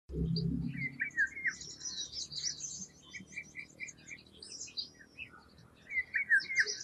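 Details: Eurasian golden oriole singing short fluty whistled phrases with sliding notes, one near the start and another near the end, among dense high chirps and twittering from other birds, with a low rumble at the beginning.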